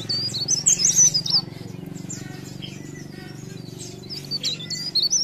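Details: Leaf warbler giving bursts of high, squiggly whistled notes at the start and end, separated by a quieter stretch, with a low hum underneath.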